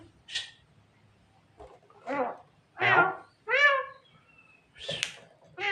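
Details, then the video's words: Tame Javan myna mimicking people, a bird said to be able to talk and imitate a person coughing: a series of harsh, voice-like harmonic bursts and rasping syllables, each about half a second, spaced irregularly over quiet background. "suara burung jalak kebo yang lucu dan bisa menirukan suara orang batuk"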